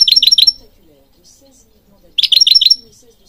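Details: European goldfinch singing, meant to stimulate trained birds: two quick bursts of four or five rapid repeated notes under a thin, steady high tone, split by a gap of well over a second.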